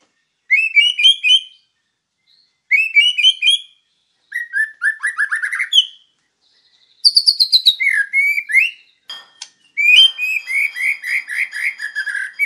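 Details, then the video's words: Master training recording of a lively white-rumped shama (murai batu), WIKPLONG style: five phrases of fast chattering trills and slurred whistles, each about a second long, separated by short pauses, varied from buzzy rattles to rich descending notes. "Masteran Murai Batu Gacor WIKPLONG"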